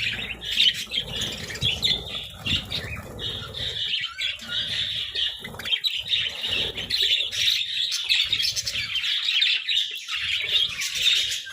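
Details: Flock of budgerigars at a vegetable feast, keeping up a long steady high warble of overlapping chirps and squeaks, with rustling and feeding noises in the first few seconds.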